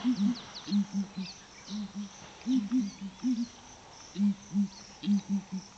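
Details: Morning booming of ground hornbills at Flatdogs Camp, mysterious deep calls that woke campers: low, soft booms in pairs and triplets, roughly a dozen in six seconds, over a background of faint chirping birds.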